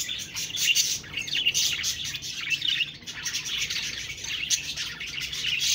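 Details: A busy flock of budgies chirping and talking in constant, overlapping high twitters and quick chirps.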